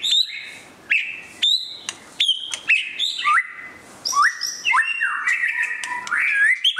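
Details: A white-rumped shama in display sings loud clear whistled phrases, stepping between pitches with sliding notes, punctuated by sharp clicks and short gaps.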